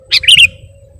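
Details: Sooty-headed bulbul (kutilang) in lure-style (pikat) singing: a sharp high chip, then a quick bubbly warbled phrase of two or three liquid notes, with a faint steady hum underneath.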